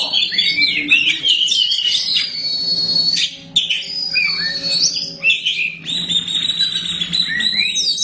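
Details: Black kacer, an Oriental magpie-robin, in full song: long sustained high whistles alternating with fast twittering and warbled runs, one brief pause midway, then more varied whistled phrases.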